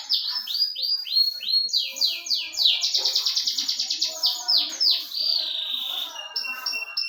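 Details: Canary singing a fast, continuous song: rapid descending whistled sweeps repeated in series, then dense buzzy trills and rolling phrases, ending in a high sustained note with short chips.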